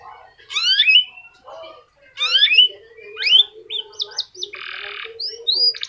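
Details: F1 canary singing a unique song style meant to draw song from other canaries: rising swept whistles repeated twice, then quick looping high notes, a short buzzy rattle and more clipped upward whistles.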